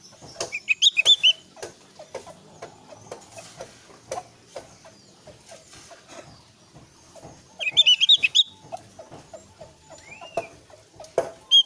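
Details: Javan grey-throated white-eye used as a lure so young birds answer in song; bursts of quick, chattering high notes near the start and at about eight seconds, with a single rising whistle, over scattered sharp clicks.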